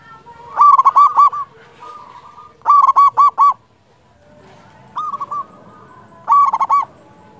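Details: Local zebra dove, a frequent singer with a strong voice, used as a lure to stir other doves into singing. Four bursts of fast, stuttering coos come about every two seconds, with softer drawn notes between.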